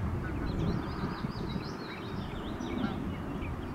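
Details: Numerous Canada goose goslings heard at close range as they feed and play. Their rapid, high wavering peeps, rising and falling in quick succession, fill the clip above a low background rumble.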